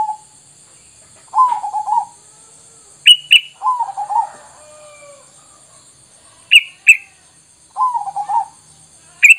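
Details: Sooty-headed bulbul lure sound for drawing untamed bulbuls to reply; three bubbly, gurgling mid-pitched phrases at intervals of a few seconds, alternating with sharp, high double chips.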